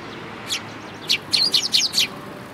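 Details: Sparrows gathering at food at a Tenmangu shrine on 11 April 2018: a single high chirp, then a quick run of five short, sharp chirps over faint background hiss.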